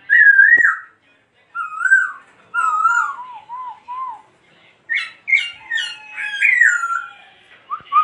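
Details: Laughingthrush singing: clear whistled phrases, first a steady high note, then lower looping warbles and a burst of quick rising and falling notes, with brief pauses between phrases.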